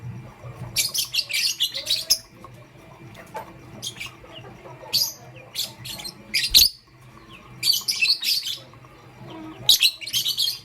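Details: Pastel gray and green lovebirds, kept birds, chirping in the morning: repeated bursts of harsh, high, scratchy squeaks in clusters, with short quiet gaps and a low hum underneath.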